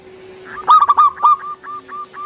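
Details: Local zebra dove with a big voice, used to lure and trigger other doves to sing: a burst of strongly pulsed cooing notes, then several spaced short level coos, over a steady low background hum.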